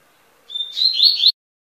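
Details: A double-collared seedeater sings a short whistled note, then a fast warbling twitter that ends abruptly. The surroundings are otherwise silent.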